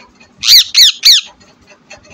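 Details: A pet talking green parrot gives three harsh, high squawks in quick succession, each a bit over a quarter second long, then falls quiet apart from faint room noise.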